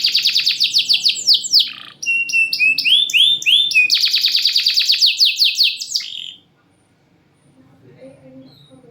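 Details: Loud-voiced champion canary kept in a cage, meant to prompt lazy singers: rapid buzzy trills, a phrase of rising swept whistles, another dense high trill, then sudden quiet with faint low background hum.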